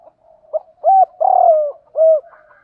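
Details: Single cooing phrase of a spotted dove, used for daily training of newly caught captive birds: a soft lead-in, a clipped note, a longer burring coo, then one rounded closing coo, all low and mellow.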